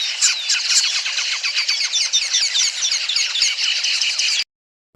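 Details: Many Red-billed Queleas in southern Africa give a dense, unbroken chatter of high, scratchy chirps and squeaks, overlapping in a busy, buzzing wall of sound that stops abruptly.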